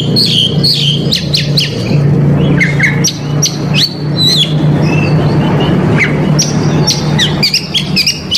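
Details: Indonesian Oriental magpie-robin, cor dor delivery with the whole mimicry repertoire, sung to bait rival males. The song is a varied stream of sharp high chips, slurred whistles and brief trills, with a loud steady low hum throughout.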